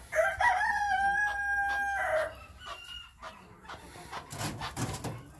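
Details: Captive-raised chukar partridges kept for breeding next spring: a loud, harmonic call held for about two seconds, then softer short notes and rustling, over a steady low hum.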